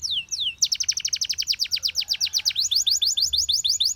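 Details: Canary song played to train canaries: two falling whistles, then a long steady trill of rapid descending notes, shifting midway to a slightly higher, faster series.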